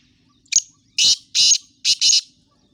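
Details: Black francolin calling: a loud series of harsh, grating, high bursts, one short note followed by a broken run of four rasping notes over about two seconds, with a quiet background.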